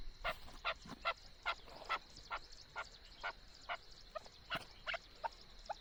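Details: Chukar partridge calling, described as a voice used for hunting: a rapid, loud series of harsh clucking chuk notes, roughly two to three per second and fairly even, over a faint steady background hiss.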